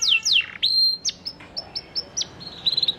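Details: Panda canary lure song for stirring quiet canaries into answering: a few loud falling whistles and a held note, followed by short, spaced chips and a quick closing twitter.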